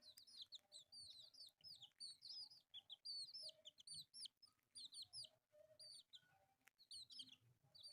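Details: Pet chicks, four colourfully dyed youngsters playing together, cheep in rapid irregular bursts, sharp high chirps curving downward, roughly one burst a second. Soft thumps and scratching sounds sit beneath the calls.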